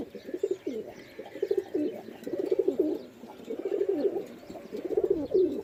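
Pigeons give low, throaty cooing in rolling bursts about every second, several birds overlapping into a steady murmur.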